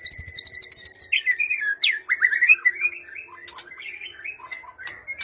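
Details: Lure song of a white-rumped shama meant to provoke a quiet bird into answering: a high rapid trill, then a flowing run of varied whistled and warbled notes, fading softer toward the end.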